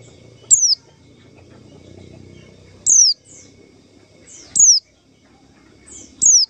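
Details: Trapping lure call of a white-eye: a single bright, high whistle dropping sharply in pitch, repeated about every one and a half to two seconds, four times, with faint softer notes and a low hum behind.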